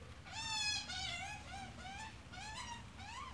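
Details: Australian magpie, adult with chick: drawn-out, strained harmonic cries that waver and rise slightly, running almost continuously for three seconds against a low rumbling background.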